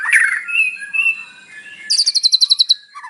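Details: Morning lure recording of a white-rumped shama (murai batu) with mimicked fills, meant to trigger a captive bird's singing. Harsh chatter and drawn-out slurred whistles give way to a crisp, high trill of about ten notes.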